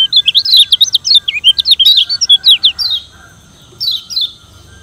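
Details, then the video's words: Lombok yellow white-eye (kecial kuning) singing to challenge opponents: a fast three-second run of high rising-and-falling twittered notes, a brief pause, then two sharp descending chirps. "Ciak Joss Kecial Kuning Suara Menantang Ampuh Bikin Lawan Ribut dan GACOR"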